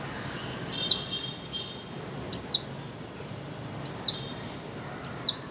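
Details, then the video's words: Female white-eye calling, used to stimulate mute birds into singing; high, sharp descending notes sound in short bursts, four times at roughly 1.6-second intervals, over a faint low background hum. "Khuyên mái 2024 hàng giành cho chim câm"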